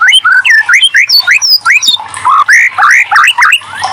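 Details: White-rumped shama (murai batu) song played as a prompting sound to get idle shamas to respond and sing: loud, rapid run of varied whistled slurs, rising and falling, with some high squeaky notes mixed in. The background is quiet.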